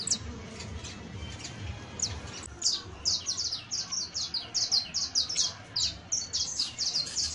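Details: Juvenile saffron finch starting with scattered chirps, then breaking into a long, steady stream of high, falling notes, about two to three each second, over faint low noise.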